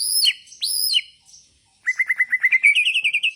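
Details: Bornean white-rumped shama singing in bowing style: two clear ringing whistled phrases, a short pause, then a fast run of about a dozen rising chip notes.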